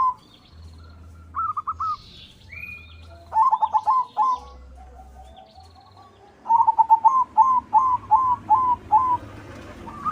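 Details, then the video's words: Singing white zebra dove used to provoke song in other doves: bouts of fast, staccato cooing notes, ending in a long steady series of evenly spaced coos, over faint low rumble. "Suara Perkutut Putih Gacor PANDAI MEMANCING Bunyi, Menaikan Birahi Bikin Gacor Semua Jenis Perkutut."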